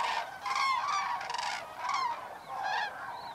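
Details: A flock of common cranes flying in at evening to roost in shallow water at Federow, Germany, 3 October 2018, very close: loud, rolling, trumpeting notes from several birds, overlapping and repeated in quick bursts.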